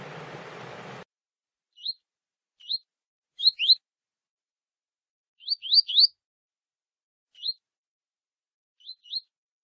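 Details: Double-collared seedeater warming up with a female before a singing contest: short, sharp upward-swept chirps, some single, some in tight clusters of two or three, separated by pauses of about a second; a brief burst of noise opens the recording.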